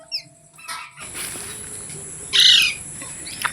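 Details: Rose-ringed parakeet giving a single loud, harsh screech of about a third of a second, preceded by a few faint, thin chirps, over a steady high hiss.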